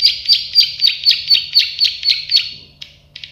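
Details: Plain prinia (prenjak sawah) song: a run of nine evenly spaced, sharp buzzy notes repeated roughly four per second, fading out into a few softer clicks at the end.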